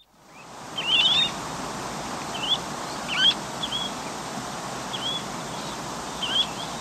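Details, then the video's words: Semipalmated plover at Chincoteague, with western and least sandpipers, heard at medium-close range: short, clear rising 'chu-weet' whistles every second or so over a heavy background hiss of surf or wind. "Semipalmated Plove / r. MCU Calls, With Western And Least Sandpipers"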